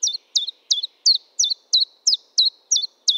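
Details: Common chiffchaff song heard close and clear: loud, high notes that dip sharply in pitch, repeated evenly about three times a second, nine notes in a tidy unbroken sequence against silence.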